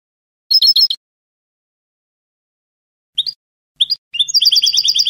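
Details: European goldfinch with Spanish salon-style song, a brief twittering burst, long silence, two short chips, then a fast run of bright repeated notes to the end.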